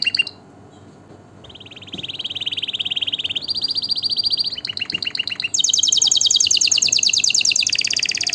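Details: Canary song used for chick tutoring and breeding stimulation: after a near-silent start, sustained trills follow one another at different pitches, stepping upward into a bright, very fast high trill.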